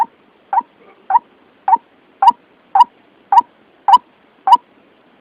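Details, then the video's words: White-breasted waterhen call used as a trapping lure, clear and unbroken: crisp, punchy notes about twice a second, ten in just over five seconds, with a soft murmur between the first notes. "Suara pikat ruak ruak paling jitu"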